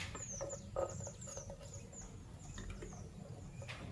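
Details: Fischer's lovebirds, a white albino and a pastel green, in the morning, chirp with thin, high squeaks and quick downward-sweeping notes, scattered irregularly over a low indoor rumble.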